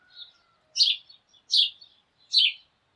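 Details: Sparrows calling together in the morning: three loud, buzzy chirps about 0.75 seconds apart, with softer twitters from other birds and a faint thin whistle behind them.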